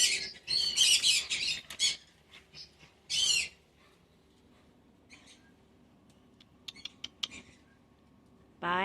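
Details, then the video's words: Pet cockatoo chatting indoors with its owner: a run of loud, rasping squawk bursts, then a quieter stretch of faint clicks and soft chatter, ending in a rising squeal. "Chatting with Hero the cockatoo"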